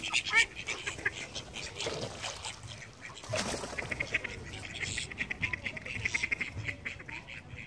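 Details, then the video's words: Call ducks on the wing give loud, nasal quacks in irregular bursts. There is a strong burst near the start, a noisy rush midway, then a steady stream of quick quacks. "Flying call ducks"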